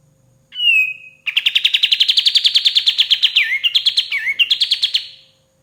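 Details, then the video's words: Song of a white-shouldered triller meant for training songbirds: a drawn-out whistled note, then a long fast trill of clipped repeated notes with two falling slurs near the end. "KAPAS TEMBAK GACOR SUARA PAS BUAT MASTERAN BURUNG JUARA"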